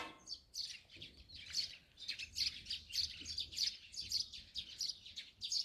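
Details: Morning chatter of Eurasian tree sparrows around a rural farmhouse in Korea: a busy stream of overlapping high, sharp chirps from several birds, pulsing steadily with barely any pause.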